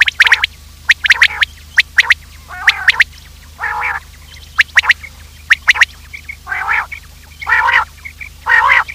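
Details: Lure call for trapping quails: quick bursts of sharp high clicks and chirps alternating with longer nasal, harmonic honks, about one call per second.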